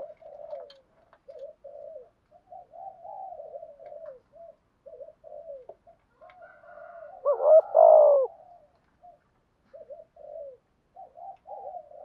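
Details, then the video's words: Spotted dove in thúc gù cooing used as a decoy for wild doves. A long run of soft, broken low murmuring coos, with one louder two-part coo phrase near the middle. "Tiếng chim cu gáy thúc gù bài vở nhất hiện nay, chim cu gáy dùng kích bổi rất hiệu quả"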